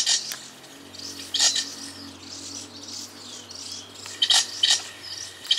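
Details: Golden parrotbill, a tiny bird of montane bamboo thickets, giving short high chirps in bursts near the start, around one and a half seconds and after four seconds, with a faint low hum underneath.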